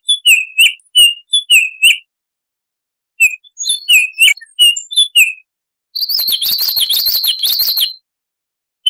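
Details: A Baltimore oriole gives two runs of short, rich whistled notes with pauses between them, followed by a fast, scratchy rattle of about two seconds. The background is silent.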